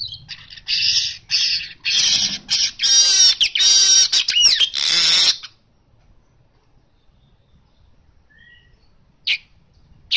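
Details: Harsh, buzzy baya weaver chatter in loud pulses with a wheezy sliding whistle, ending abruptly after five seconds; silence follows with two brief faint calls.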